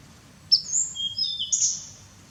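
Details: Grey-headed canary-flycatcher, recorded while bathing in Cambodia, gives a quick run of thin, very high whistled notes that slide and step across about a second, over a faint low rumble.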